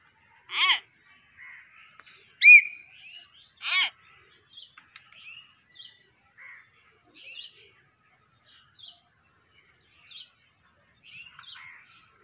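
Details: Common hill myna, known as a talking bird, playing in a garden: three loud bell-like descending whistles early on, followed by a string of soft, scattered chirps and squeaks in near silence.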